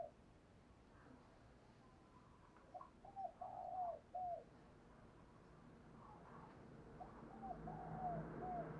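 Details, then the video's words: Decoy spotted dove, kept to call in and lure wild doves, giving short bursts of soft, low, hollow cooing phrases in two spaced groups against a quiet rural background hiss. "tiếng cu gáy - Chim Cu Mồi Thúc Và Gáy Gọi Dùng Kích Bổi Hiệu Quả"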